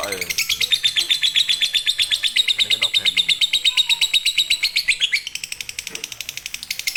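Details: Lovebird in fighter or konslet style, used as a tutor for lazy singers: a steady run of rapid, high, rattling chirps, a rising flourish at about five seconds, then quieter chatter.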